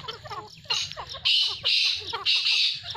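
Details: A pair of grey francolins give loud, harsh, shrill calls in quick bursts about every half second, with a faint low hum underneath.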